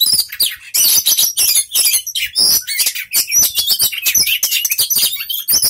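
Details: Young oriental magpie-robin, a contest bird with several inter-city placings, sings a dense, loud, fast medley of sharp chirps, rapid trills and whistled phrases, nearly continuous with only brief gaps.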